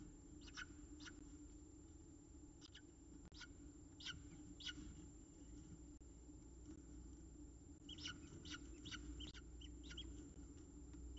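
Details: Feeding time at a peregrine falcon nest in Orange, Australia: quiet clusters of short, descending chirps, sparse early and then bunched rapidly near the end, against constant low background hum.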